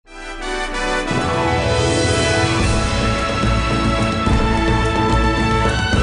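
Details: Dramatic theme music swells in after a brief quiet start and plays loudly throughout, with no animal sounds.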